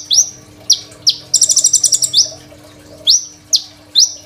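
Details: Crimson sunbird, phone recording used to train other songbirds: a few sharp rising chips, then a second-long buzzy stuttering trill, followed by widely spaced single high notes.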